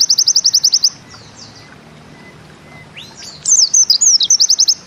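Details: White-eye doing a 'nembak ziperrr' trill in Bustomi style: a quick chip series cut off, faint soft notes during a long quiet stretch, then sweeping high notes and the trill starting again.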